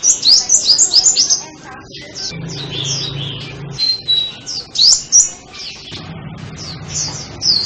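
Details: Sunbird song of quick, high, thin twittering notes in busy runs, pausing briefly before starting again, with a low hum in parts.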